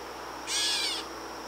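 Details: Gray catbird in the wild in Canada giving a single harsh, cat-like mew of about half a second, a buzzy nasal note rich in overtones, over a quiet steady background hiss.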